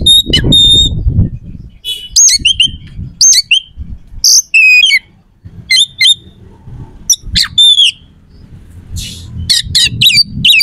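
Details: Lure song of an oriental magpie-robin, used to agitate rival birds before contests; rapid run of short, sharp, high chips and harsh notes with gaps, plus a few bent whistles, over faint low-pitched background noise.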